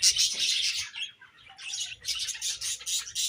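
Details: Budgerigars chirp in bursts of high, rapid, scratchy twitter. The chatter breaks off briefly in the middle, then resumes with fast, uneven notes.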